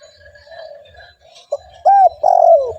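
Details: Spotted dove used to lure other doves: soft steady background cooing, then two loud arched coos and a longer falling coo at the end.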